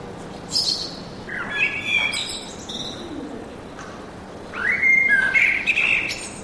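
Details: Woodland birdsong: a few short chirps early, a pause, then a louder run of whistled, sliding notes near the end, over a faint steady hiss.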